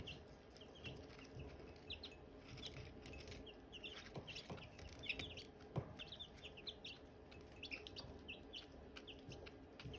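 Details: Silkie chicks with hatching eggs, chirping: a steady stream of short, high, downward-slurred peeps overlapping from several birds, with soft low thumps and clicks beneath.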